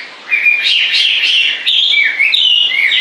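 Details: A bird sings a continuous, loud warbling stream of high twittering notes, varied and unbroken after a short quiet start.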